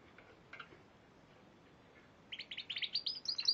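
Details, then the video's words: Spanish Timbrado canary, champion of the March 2014 Piala Raja singing contest, mostly quiet at first with faint chirps, then bursting into a loud run of quick, rising, bell-like trilled notes at the end. "Kenari Spanish Timbrado Juara Piala Raja Maret 2014"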